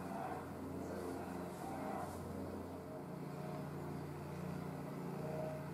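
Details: A steady low hum of passing vehicles and engine drone fills the whole recording, with no animal sound to be heard.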